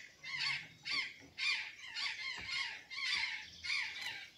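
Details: Harsh, broad squawks from an azure jay feeding on banana and sweet potatoes at Santa Catarina, about eight calls in four seconds, each ending in a falling lower tone, at a steady but slightly uneven rhythm.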